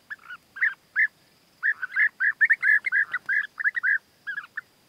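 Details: European bee-eaters during courtship, where the male wins the female's favour with food gifts: a dense run of rolling, arched, liquid calls repeated rapidly, often several per second, with brief pauses between bursts.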